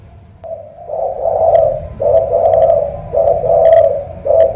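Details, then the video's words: Cà Mau spotted dove, called a thổ cọp with a huge pigeon-like voice, delivering low, hoarse coos in four grouped bursts after a soft opening note. Light clicks and tapping sound in between. "Thổ cọp âm khủng hình như bồ câu"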